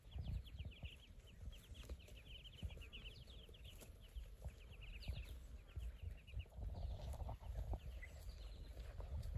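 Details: Saxony and Muscovy ducks with ducklings; dense bursts of high, rapid peeping from several young birds, with low rumble and some knocks beneath.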